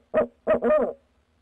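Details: Barred owl at night, 6 February 2019, one of a pair around a nest box: two deep hoots, the second flowing straight into a long, warbling, drawn-out note.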